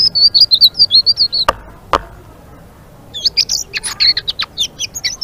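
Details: Blue-winged leafbird in full ngeriwik song: a run of clear, wavering high whistles, two sharp clicks, a second of near silence, then a fast chattering burst of varied chirps and slurred notes.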